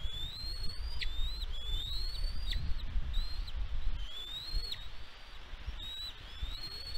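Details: Bald eagle at the West End nest on Catalina Island, California, USA, recorded by a nest camera on 16 May 2022. It gives high whistled notes that slide upward, then drop sharply, repeated about once a second over a steady low wind rumble.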